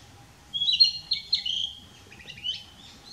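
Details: Narcissus flycatcher singing from a dead branch on 6 May 2016, moving between several song posts, recorded with a Nikon P900 camera; a quick run of clear high whistled and warbled notes, then a shorter twittering phrase, over a faint steady low hum.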